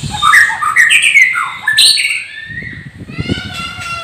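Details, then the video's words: Captive champion White-rumped Shama from Gondanglegi, Malang, East Java, giving clear slurred whistles and chattering notes, then a fading harmonic whistle while low human talk rises underneath. "Burung Muray Batu LAHAR"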